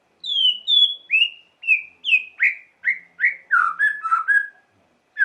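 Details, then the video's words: White-rumped shama singing to provoke emotion in listening shamas: a string of clear whistled, slightly falling notes spaced about half a second apart, ending in quicker, lower warbled phrases. "Lengkingan KICAU MURAI yang satu ini wajib disimak untuk pancingan emosi Murai Batu"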